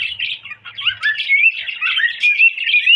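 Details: Pet cockatiel whistling: a dense stream of bright chirpy notes with rising whistled slides woven through. The sound is busy and continuous, with a faint low thump near the start.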